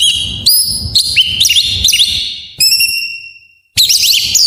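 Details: Oriental magpie-robin training song in full isian style, played to coax reluctant magpie-robins into singing: quick rising whistles repeated about twice a second, a long drawn-out whistle fading away, a brief silence, then a burst of tumbling notes.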